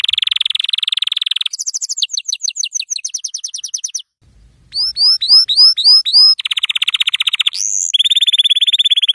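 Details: Yellow canary song used to tutor young canaries: a buzzy rapid trill, then fast slurred whistled notes, a brief pause, loud down-curving whistles, and a dense rolling tour ending in high trills.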